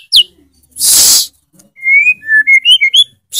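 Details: White-rumped shama (murai batu) singing actively with loud 'tembakan' bursts and full 'isian' fills: a short run of clear whistled notes rising and falling, preceded by a sharp high note and a loud hissing burst.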